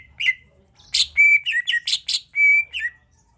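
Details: Lure song of a greater green leafbird, played to get other birds singing: a lively run of sharp high chips alternating with clear, steady whistled notes and short downslurred phrases, with a quiet background.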